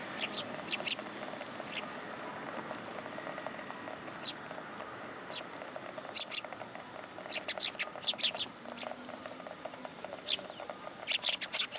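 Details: Eurasian tree sparrows at a Tenmangu shrine, 27 December 2022, coming to take food from the top of a pillar: short, sharp high chirps scattered across the recording, some in quick bursts, over a steady background hiss.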